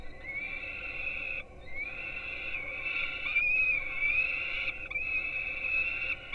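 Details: Peregrine falcon young at a nest in Gdynia, Poland, filmed by a live webcam at 4:21 am, dated 5-11-16, being fed breakfast: long, drawn-out, high squealing wails that rise at the start, broken by short pauses.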